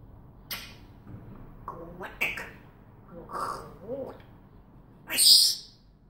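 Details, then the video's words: African grey parrot at home speaking in short voice-like syllables with harmonic tones, followed by a loud bright high whistle near the end. "The African Grey Parrot talking and whistling"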